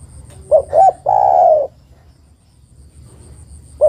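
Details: A female spotted dove calls the male: two short coos and a longer level-to-falling coo, followed by quiet and the start of the next phrase at the end.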